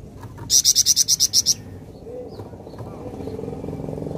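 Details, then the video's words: A flameback replying as soon as a recording is played once: a single loud, rapid, evenly paced rattle of about nine sharp high notes, then only a low murmuring background. "Sekali Putar Bahan Flamboyan Langsung Nyaut"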